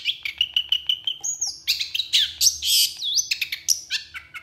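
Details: Long-tailed shrike, locally pentet or cendet, singing busily: a run of evenly spaced chirps opening the phrase, then loud harsh and whistled notes with buzzy, rising and falling elements; faint low hum underneath.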